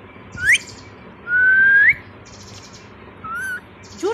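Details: Pet Indian ringneck parakeet whistling loudly on its owner's spoken prompts: four clear whistled notes, the longest a steady tone sliding upward at its end, the others short rising or wavering notes, with quiet room noise between.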